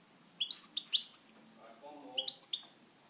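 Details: Owner's European goldfinch giving two quick bursts of high twittering notes, with a faint low murmur between them.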